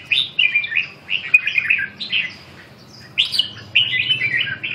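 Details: Red-whiskered bulbul sings bright, bubbly whistled phrases in quick rising and falling bursts, pausing briefly midway, over a faint low hum; the bird is said to be singing wildly on its own.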